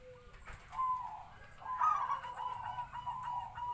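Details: Medium-voiced zebra dove decoy bird, local and captive-bred, giving soft rolling coos of the kwor kwor type. The phrases are uneven and partly blurred against a low background hum.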